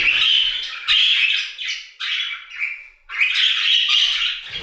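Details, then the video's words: Budgerigars singing in their aviary: bursts of loud chattering warble and downward squawks separated by short pauses, four phrases in under five seconds. "Budgie Songs - 1 hour of Budgies singing in the Aviary"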